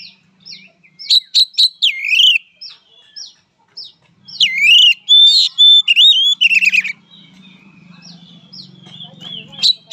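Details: Fighting song of an oriental magpie-robin: clipped chips, slurred whistles and a long trilled phrase in loud bursts, with a faint low hum running beneath the later part.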